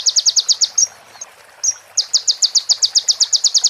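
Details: Sunbird training recording with female prinia fill: a fast series of sharp, high, ticking notes, broken by a short whistled slur and a pause, then resuming at the same quick pace.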